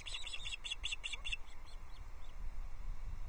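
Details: Osprey chicks on a nest at Loch Arkaig on 14 June 2024, at feeding time as a small trout is shared. A quick series of about seven high, piping chirps lasts little more than a second, over steady wind rumble on the nest camera.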